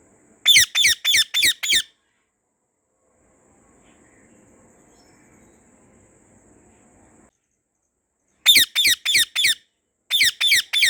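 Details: White rose-ringed parakeet in a garden giving harsh, screechy calls in quick bursts of about five notes, a long silent gap between the first and second burst, then a third burst.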